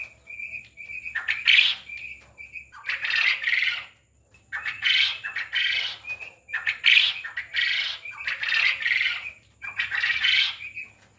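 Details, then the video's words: Farm-raised quail: a string of high clear peeps leads into six or seven loud, rough squawking bursts, each ending in a thin peep. "Quail Voice||Batar ki Awaz"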